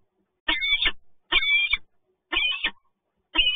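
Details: Two peregrine falcons meet at the PGE Toruń site, recorded 2 January 2021. Four loud, rasping calls with a strained, wailing tone come about a second apart, with silence between each burst.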